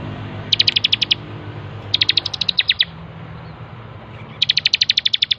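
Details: Ciblek, or bar-winged prinia, on a training master recording: three quick trains of shrill, clipped high notes, roughly ten per burst, separated by brief pauses against faint low background hum.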